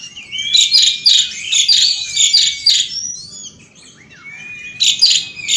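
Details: Outdoor Asian pied starling in continuous 'gacor ngeroll' song: rapid bursts of harsh, buzzy, rhythmic notes over a thin sustained whistle, a short pause with a rising whistle, then another noisy burst.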